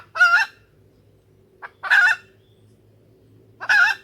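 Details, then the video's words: Female junglefowl lure call for bringing in males: three loud, raspy, nasal clucks about 1.7 seconds apart, a short faint note before the second, steady low hum underneath. "suara pikat ayam hutan betina"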